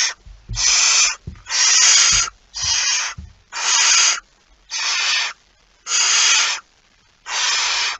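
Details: Barn owl at the nest with prey (a mouse), recorded 23 September 2019: seven harsh, rasping hiss bursts in eight seconds, each broad and breathy, with soft low thumps between the first few.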